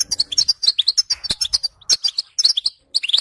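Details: Rapid goldfinch twittering: dense run of high, bright chirps and buzzy trilled notes, a short pause near the end before the song resumes.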